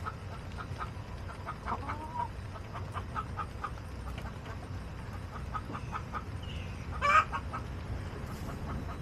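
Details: Backyard chickens on August 28, 2024: soft, short clucks repeated irregularly throughout, with a brief louder squawk near the end over steady low background noise.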